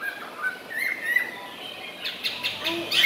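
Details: Caged, tame Chinese hwamei singing while it feeds: a few soft whistled phrases that slide up and down, then scratchy rustling bursts toward the end.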